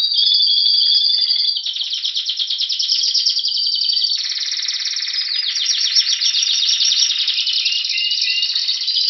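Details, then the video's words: Song of a Spanish Timbrado canary, Greece, February 2016, awaiting spring: an unbroken high tour of fast metallic trills, changing pace and pitch every few seconds, with some rolls pulsing quickly and others sliding in short swept notes. "Canario Timbrado Espanol esperando la primavera"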